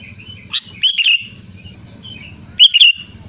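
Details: Sooty-headed bulbul giving two short, bright slurred phrases, with faint soft whistles in between, over a low background hum.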